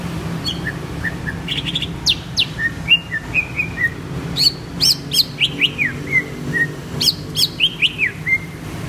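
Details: Greater green leafbird singing a lively, varied song of clear whistled notes and quick sweeping slurs, some rising and some falling, delivered in rapid bursts with short pauses, with faint low background hum.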